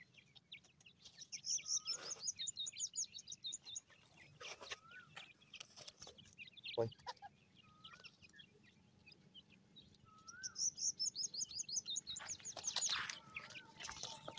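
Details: Newly hatched grey francolin chicks cheeping: thin, high chirps in fast bursts, with short lower whistled notes recurring every few seconds and some handling noise.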